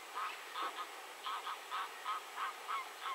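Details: Eurasian wigeon recorded in Poland, giving repeated whistled calls, each a short note followed by a softer trailing element, about three per second, over a steady background hiss.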